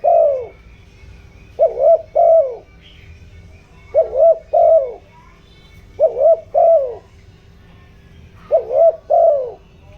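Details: Decoy spotted dove in the 'giọng đồng' voice style, used to provoke wild doves and excite decoy birds. Low mellow double coos come in pairs, four pairs spaced about two seconds apart, over a faint steady hum.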